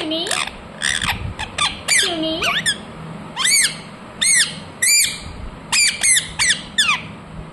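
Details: Indoor rose-ringed parakeet squawking loudly: shrill, arched screeches repeated in quick irregular series, with a few lower drawn-out squeaky notes early on.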